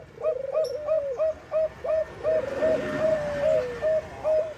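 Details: Zebra dove of the Bangkok type, its song used as a lure to set other doves singing: a quick run of about eleven short, clear coos, each led by a brief higher note, evenly spaced roughly three per second.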